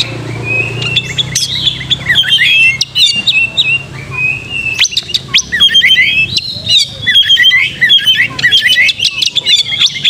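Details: Energetic oriental magpie-robin song used to stir aggression and tail opening: dense, jumbled twitters and sharp upward flicks in two long bursts, with a low rumble beneath the opening seconds.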